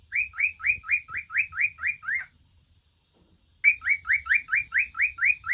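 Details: Male cockatiels, three kept together indoors, giving bursts of sharp rising whistled notes roughly four per second, a run of about nine, a brief silence, then another quick series.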